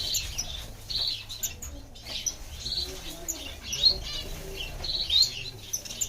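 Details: Repeated short, high chirps from a diamond firetail, a finch, coming in irregular clusters roughly every second, with soft fluttering and rustling underneath.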